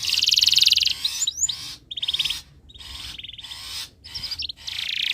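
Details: Canary in breeding condition singing to encourage other birds: a loud buzzy trill, then shorter rattling rolls and clipped chirps separated by brief pauses.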